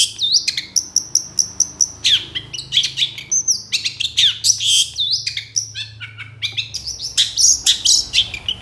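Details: Long-tailed shrike singing nonstop, used to set off reluctant shrikes: a busy, varied medley of high whistles, held notes, sliding chirps and rasps, packed densely with barely a pause.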